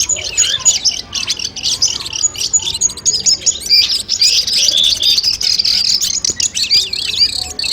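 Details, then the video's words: Training sounds of the long-tailed shrike (cendet) for a mental test before a contest. Quick twittering high notes and looping whistled phrases, growing denser and more continuous toward the second half. "masteran kumpulan suara cendet tes mental sebelum lomba"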